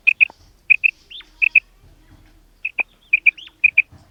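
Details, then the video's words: A female common quail calls with short, high, clipped notes in quick pairs, with a few upslurred notes among them, repeated in bursts over a quiet background. "Common Female Quail Calling"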